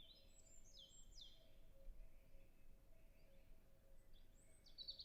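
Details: European robin singing at a distance in a natural reserve in early spring: faint, high, thin whistled phrases with descending and stepped notes, over steady low wind rumble in the trees.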